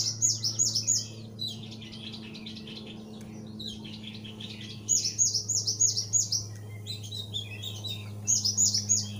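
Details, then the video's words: Full, unbroken Thick-billed white-eye song meant to encourage new birds to sing: three bursts of rapid, very high sharp notes, each about a second long, with faint chattering between and a low background hum. "SUARA BURUNG OPIOR ALIS TEBAL GACOR NGEPLONG"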